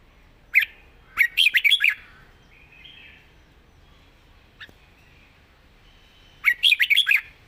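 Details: Soft-voiced young red-whiskered bulbul with pleasing song phrasing sings a fast run of sharp chirped notes, pauses with faint murmuring notes and one click, then repeats a similar bright burst.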